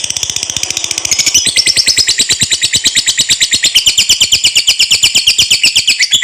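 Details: Sustained ngekek trill of a lovebird, a recording meant for tutoring and stimulating other lovebirds: dense, shrill, rapidly pulsed chatter, roughly three pulses per second, shifting slightly higher partway through and running without pause.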